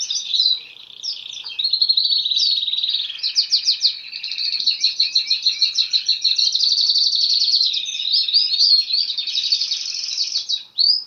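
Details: Canary pouring out an unbroken eleven-second song of rapid rolls, chattering trills and quick slurred notes, loud and high, with no pauses and no other sounds.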